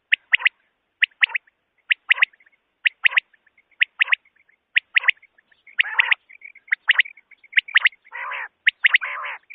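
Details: Common quail call, tagged as a female's, used for night hunting: sharp, liquid triple 'pwit-pwit-pwit' notes about once a second, with a few low buzzy growls in between.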